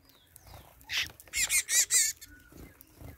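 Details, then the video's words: Double-collared seedeater, a group singing at dawn: a burst of loud, high, buzzy, warbling notes in quick succession lasting about a second, with faint background noise. "Papacapim turma fazendo festa ao amanhecer"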